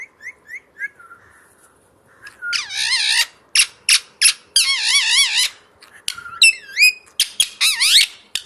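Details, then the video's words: Parrot singing indoors behind glass: soft short whistles, then a loud series of harsh, buzzy, wavering bursts and squeaky upslurred whistles in quick irregular succession, about three per second. "Parrot's Song"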